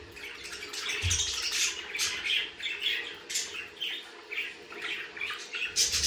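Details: Budgerigars chattering in a steady run of scratchy, buzzy high notes and squawks, with short bursts following each other closely throughout and little pause between them.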